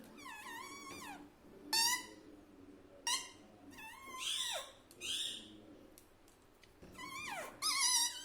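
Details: Pet talking parrot said to be saying "mummy" and "papa": a series of loud, harmonic, wavering syllables with rising and falling pitch, separated by short pauses, over a low steady hum.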